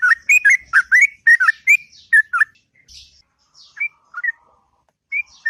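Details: Sooty-headed bulbul singing long and melodiously in the morning: a rapid run of short whistled, slurred notes near the same pitch, then scattered single chirps after a pause.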